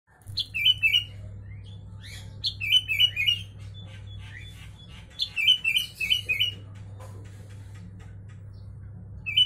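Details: Sooty-headed bulbul song filled with white-vented myna (jalak kebo) phrases, meant as a master recording for tutoring kept bulbuls and mynas: short bubbly whistled phrase bursts, rising then falling, repeated about every two and a half seconds over a steady low hum.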